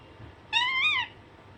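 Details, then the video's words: Single drawn-out Alexandrine parakeet call, about half a second long, a clear harmonic note that rises gently then falls, heard close with faint hum. "Alexanderine naughty parrot/parrot natural sound"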